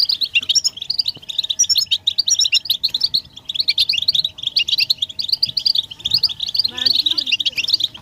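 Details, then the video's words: Chorus of European goldfinches giving mating and readiness calls used to stimulate males to sing: a continuous mass of rapid, high tinkling twitters from several birds, one brief rising buzzy note near the end. "بتبتة حسون الشوك تحفيز الحسون على التغريد والهيجان علاج صمت الحسون goldfinch stimulation"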